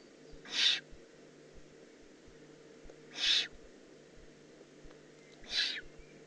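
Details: Juvenile Eurasian eagle-owl in the Eifel, Germany, recorded 18 June 2016: three harsh, broadband hissing rasps, each under half a second, about two and a half seconds apart, over a quiet background with faint low hum.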